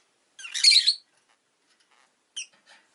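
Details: A newly arrived pet rosy-faced lovebird gives one loud, rasping half-second chirp, followed by a brief sharp squeak and a faint trailing note.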